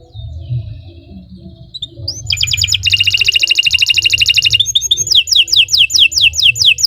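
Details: Canary singing a long continuous song: quiet start, then a fast high buzzing trill, followed by a run of sharp descending whistled notes repeated about twice a second, over a low background hum.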